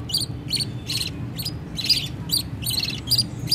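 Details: Baby budgerigars begging as their mother feeds them: short harsh rasping chirps, roughly three each second, each with a thin squeaky edge, over a low constant room hum.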